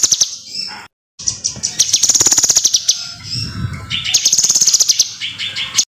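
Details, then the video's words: Kinoi singing strongly, used to train other birds: high fast rattling trills and twittering phrases in repeated loops, interrupted by a short silence near the start. "SUARA BURUNG KINOI GACOR"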